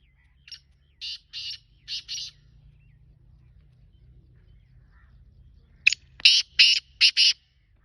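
A Black francolin gives two loud phrases of four or five harsh, grating notes, the second phrase higher and more clipped, over a faint low rumble.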